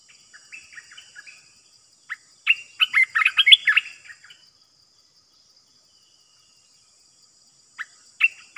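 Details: Decoy cream-vented bulbul for trapping: soft scattered chirps, then a burst of loud, bubbly, tumbling notes, a long silence, and a fresh bright phrase starting near the end.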